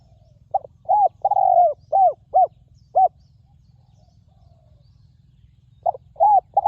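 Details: Spotted dove, a wild bird lured to the ground with a decoy, noted for its ringing, resonant voice: a phrase of short arched coos with one longer sustained note, then silence before another phrase starts.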